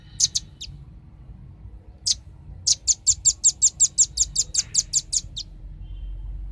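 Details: Velvet-fronted nuthatch lure recording: a quick pair of high notes, a lone chip, then a long steady volley of about sixteen shrill, evenly spaced high chips fading toward the end.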